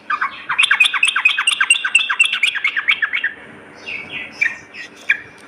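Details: Lure recording of a lively sooty-headed bulbul, morning and night. A dense, rapid sequence of sweeping chirps for about three seconds, followed by softer, scattered warbled notes.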